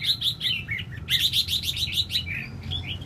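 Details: Red-whiskered bulbul fanning its tail, giving quick bright whistled and warbled phrases, short notes bunched in bursts with brief gaps, the second burst louder and fuller, over a low background rumble.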